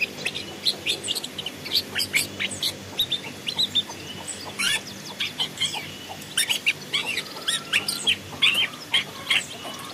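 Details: Long-tailed shrike heard as a forest decoy (masteran) recording: a fast, dense run of sharp high chirps and short ticks, closely spaced and uneven in rhythm, with a faint steady hiss behind.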